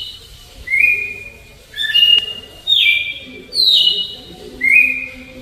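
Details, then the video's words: Red-cowled cardinal in the slow Alagoas flute song style: five pure whistled notes, some held level and some dropping in pitch, delivered roughly once a second, with faint low murmuring underneath. "GALO DE CAMPINA CANTO FLAUTA ALAGOANO LENTIDÃO"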